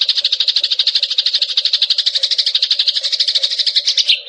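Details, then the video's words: ['Eurasian tree sparrow song in a training recording for songbirds, with variations and rolls: a fast, steady chatter of short buzzy notes repeated about three times a second, with a low steady hum underneath.'] "SUARA GEREJA VARIASI"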